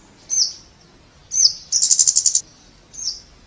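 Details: Three thin, very high tsip notes from a Scarlet-backed flowerpecker, the middle one running straight into a quick dry rattle of about eight clicks.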